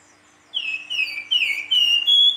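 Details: Silver-eared mesia singing vigorously in the flute-like nyuling style: five clear slurred whistles, each sliding down from about the top of its range, the last ones flatter and higher, with a steady low hum behind.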